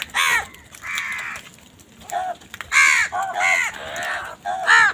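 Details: Crows fighting with wild birds over food give harsh, hoarse caws in quick bursts. Some are short and clipped, others drawn out and nasal, with brief pauses between groups.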